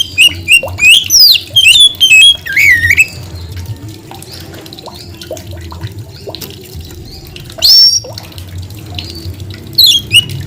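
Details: Oriental magpie-robin singing actively: bursts of loud, varied, high whistles and rapid twisting trills, separated by quieter pauses with faint background chatter and hum, returning after a gap with more sharp rising whistled phrases.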